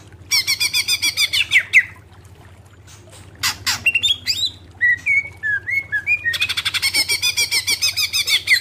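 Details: Greater green leafbird song used for training cage birds: bursts of rapid buzzy chattering notes, then a pause and a run of clear sliding whistles, ending in a long fast rattling chatter; faint low hum beneath.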